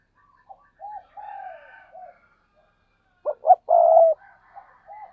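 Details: Spotted dove cooing: soft, low, wavering coos at first, then a louder phrase of two short clipped notes followed by one long, drawn-out hollow coo, with faint higher notes behind.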